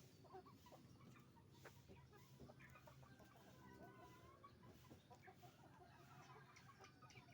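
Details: Crowded chicken farm where roosters and hens make noise; faint scattered clucks and thin calls sit under a heavy low hum and clatter.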